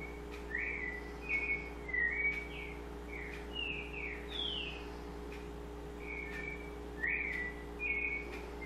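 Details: White-necked thrush delivering spaced, mellow whistled phrases, several rising then falling, with short pauses between groups; a continuous low hum runs underneath.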